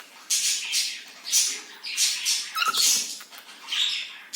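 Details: A cockatiel in an office gives harsh, raspy squawks in short bursts, about every second.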